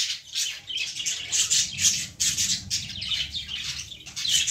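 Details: Young lovebirds among plant foliage chatter continuously with high, rasping chirps. Several birds overlap, and the loudness rises and falls every fraction of a second.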